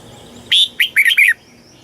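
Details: Red-whiskered bulbul from Thailand, southern master-style song played to rouse birds and tutor young birds: one clear phrase that opens with a strong whistle and ends in a fast, rolling run of notes.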